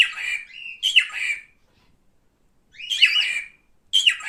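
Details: Male cockatiel kept at home uttering rough screechy calls that slide downward, some joined by a brief flat whistle, in bursts separated by about a second of silence.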